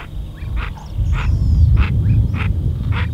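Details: Brazilian teal, called pé-vermelho, repeats harsh, nasal, quack-like notes about every half second, with faint thin whistles between them and a strong low rumble underneath.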